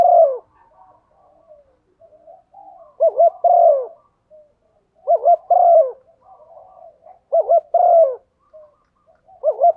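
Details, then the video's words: Female spotted dove calling to excite the cock: four low cooing phrases about every two seconds, each a bouncy double note then a long sliding coo, with soft quiet murmurs between phrases. "Tiếng chim cu gáy MÁI kích trống, chim cu mái thúc gù"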